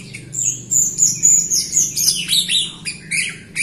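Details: Jalak Rio myna in full song, played to stimulate other Rio mynas that are slow to sing; a fast, continuous stream of high whistles and harsh chatters, roughly four notes a second.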